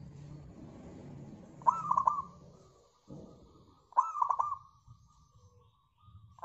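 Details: Local zebra dove, kept as a cage bird, singing a lure song meant to make other birds sing: two bouts of a rising coo followed by quick rolling notes, about two seconds apart, over faint low background hum.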